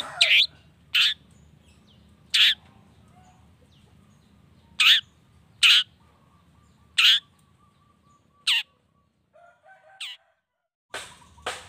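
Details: Long-tailed shrike song meant to rouse other shrikes to sing: single harsh, raspy notes spaced one to two seconds apart, some with a falling sweep, over a faint low hum.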